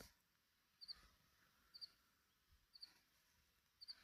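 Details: Cierema bird at Minas de Corrales: short high doubled chirps, each pair a quick two-note tick, repeated about once a second over a quiet outdoor background.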